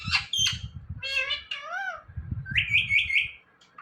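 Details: Parrot talking, its word given as "Mithu": sharp chirps, then a run of harmonic voiced syllables and a sliding, curved phrase, ending in a higher buzzy rising note, with indoor rumble underneath.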